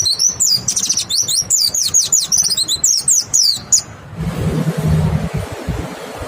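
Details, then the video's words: White-eye singing to lure other white-eyes to respond: about four seconds of rapid, very high-pitched twittering chirps in quick succession, then the song stops and a low rumbling noise continues. "Pancingan PLECI BIKIN IKUT NEMBAK, suara jernih bikin respon PLECI LAIN BUKA PARUH"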